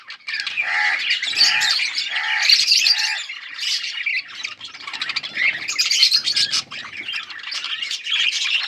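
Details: Budgies in yellow plumage, August 20, 2024, open with a run of short repeated tonal chirps, then break into loud, harsh squawking and grating warbles from several birds.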